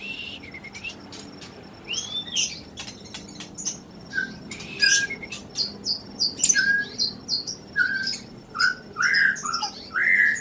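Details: Young Muda Hutan from 2016 giving a varied song of short high whistles, downslurred chips and sharp clicks, growing busier toward the end over a constant low background hum.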